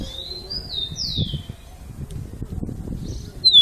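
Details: Rufous-collared sparrow, or tico-tico, sings "Jesus meu Deus": a single phrase of high sliding whistles ending in a drawn-out falling note, then low murmuring noise and a brief sharp chirp.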